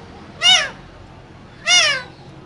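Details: Two green parrots in a cage, one giving two drawn-out, nasal, meow-like squawks that fall slightly in pitch, about a second apart, over quiet background hum.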